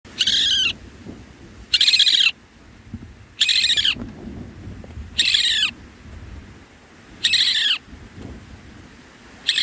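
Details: Indian roller chick in its nest giving harsh, hissing rasps, each about half a second long, repeated roughly every two seconds to call its parents, which feed it there.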